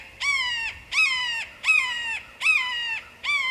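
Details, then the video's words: Red-shouldered hawk calling: loud, clear, harmonic-rich screams, each slightly downslurred and about half a second long, repeated roughly every 0.75 seconds in a steady series of five, against a quiet background. "Red Shouldered Hawk Calling"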